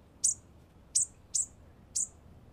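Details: Bushtit calling with four short, piercing, high-pitched tsit notes at uneven intervals, each clean and abrupt, against a soft low background hum.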